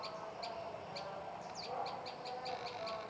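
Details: Tailorbird known as prenjak lumut chips rapidly and evenly, high sharp notes about six per second with one falling slurred note midway, all above a steady low background murmur.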